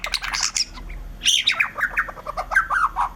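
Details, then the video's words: White-rumped shama delivering a fast, varied song of harsh squawky notes, chirps and quick falling whistles, packed closely together. "suara burung murai batu gacor"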